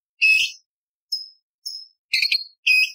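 A bulbul gives five harsh, buzzy high-pitched bursts in three seconds, each a short rasping note, some with a brief whistled tail.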